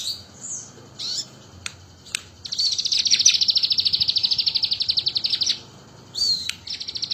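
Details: Imitating the bar-winged prinia, a crested jay sings with gusto: scattered high notes and clicks lead into a loud, rapid, rattling trill of sharp, high pulses lasting about three seconds. After a short pause, a second quick trill begins.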